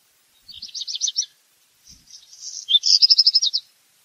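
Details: Song of a black redstart, two-part: a rattling burst of high notes, then after a gap a hissy scratchy passage leading into a quick jingling series of short notes.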